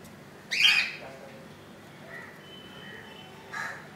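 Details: Budgerigar chick in its nest on its second day after hatching on 15 July 2018: one loud, harsh, buzzy squawk, a faint thin whistle afterwards, and a short rasp at the end.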